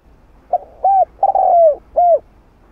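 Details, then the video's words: A spotted dove sings one complete 'hạp bổi' style phrase meant to excite caged doves. A faint opening note leads to a flat coo and a long, descending, mellow coo, then a rounded closing note. "Tiếng Cu Gáy Giọng Hạp Bổi 010 [ GỌI +THÚ ] Kích Bổi Nhanh Nổi"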